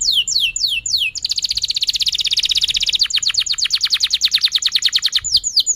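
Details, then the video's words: Canary song meant to stimulate other canaries and teach young birds to sing: a few descending swept notes, then a long, rapid, buzzy trill that loosens into distinct pulsed notes repeated about three per second. "kenari gacor panjang Cuit Cuit EMOSI, Pancingan Kenari Paud Belajar Bunyi"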